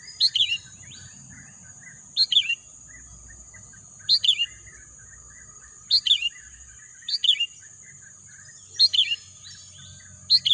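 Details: Crisp chirped phrases from a bird come roughly every one and a half to two seconds, seven bursts in total, each a quick tumble of descending notes. A continuous thin high hum and distant soft bird calls sit underneath.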